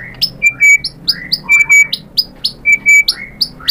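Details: White-rumped shama repeating a quick pattern of high chirps and short flat whistles, roughly once a second, over a faint background hum.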